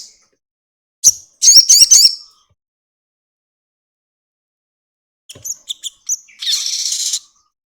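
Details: Crested jay, a lure recording of its long rattling call meant to prompt other birds into singing: two short bursts of high, dry, rapid chattering notes separated by about three seconds of silence.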